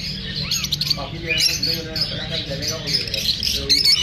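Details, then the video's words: Parrots, lovebirds, chirping after feeling unsafe from being filmed: a dense, continuous chatter of high squeaky chirps and squawks overlapping throughout, with a few lower harmonic calls. "The sounds of parrots after feeling unsafe."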